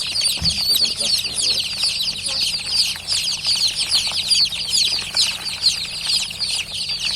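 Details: A crowd of freshly hatched chicks gives steady, high-pitched peeps, each a short descending chirp, packed closely into an unbroken chattering chorus; a faint low thump near the start.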